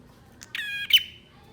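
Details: A single short buzzy note from a male bar-winged prinia, preceded by a soft tick, a flat nasal buzz ending in a bright high click, over quiet background. Sound meant to rouse birds that have gone quiet.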